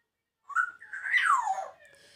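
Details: Captive grey parrot imitating Punjabi speech. A short tonal note is followed by a longer, voice-like harmonic phrase that rises and then slides down, trailing off softly.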